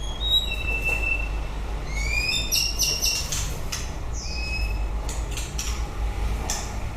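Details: End of breeding season song of a white-rumped shama: sparse clear whistles, some rising, some level, separated by short clicking notes, over constant low rumble.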